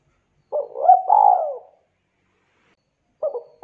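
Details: Spotted dove calling to fellow spotted doves, which respond. One mellow phrase ends in a long, drawn-out falling coo, followed by silence before another phrase starts near the end.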